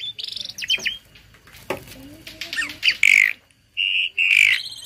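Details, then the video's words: Tame starling singing learned song as a tutor for other birds: varied whistles and harsh squawk-like notes, then loud buzzy warbled phrases near the end separated by a short silence. "Burung Jalak Jinak Isian Nembak || Cocok untuk masteran burung lain langsung nyaut"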